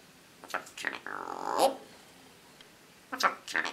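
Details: Female eclectus parrot kept as a pet, talking in a man's voice while swaying back and forth; short speech-like syllables, a drawn-out vowel, a pause, then a few more clipped words in a quiet room.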